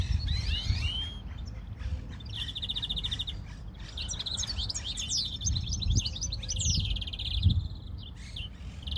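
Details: European greenfinch song opening with a cluster of rising whistles, then sustained buzzy trills and quick twitters, with a few low thumps and continuous background rumble.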